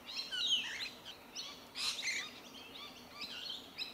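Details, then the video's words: Rainbow Lorikeets eating tree violet berries in Melbourne, Victoria, in January 2021; a brief stretch of harsh overlapping screeching and chatter with one loud burst in the middle. "Rainbow Lorikeets feeding on tree violet berries"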